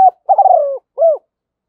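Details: Part of a spotted dove decoy call meant to lure wild doves: a long pulsing coo sliding downward, followed after a short gap by a single rounded coo.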